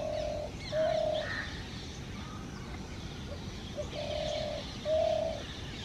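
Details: Male spotted dove in a tree cooing to attract a female for nesting: soft, low, hollow coos in paired notes, repeated after about three-second pauses, over a steady hiss and faint distant chirps.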